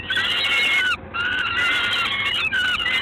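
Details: Peregrine falcon recorded in Gdańsk on 3 June 2016 at 19:47, giving loud, harsh, drawn-out wailing notes, two long screams separated by a short gap, then a third begins near the end; a steady background hiss throughout.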